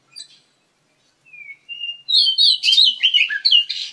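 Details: Oriental magpie-robin, one of a breeding pair kept in an aviary, giving a varied run of clear whistled notes: a thin rising whistle, a steady held tone, then a rapid jumble of sweet warbled and chattered phrases.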